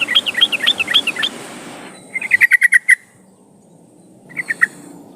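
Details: Trucukan (yellow-vented bulbul) recording used as a lure to get birds singing: a bubbly chattering phrase, then a quick series of sharp repeated notes, and a brief final trio of notes.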